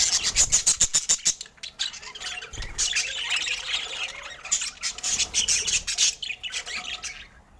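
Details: Budgerigars feeding in natural Scandinavian light: a fast series of sharp clicks opens, followed by continuous high chirping and squawking chatter that fades near the close.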